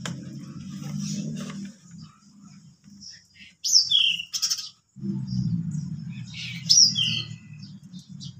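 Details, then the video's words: Three pied bushchats singing ngeplon style at home: two bright downward-slurred whistled phrases stand out, separated by a low murmuring background rumble. "3 BURUNG DECU NGEPLON Rumah rasa di kontes"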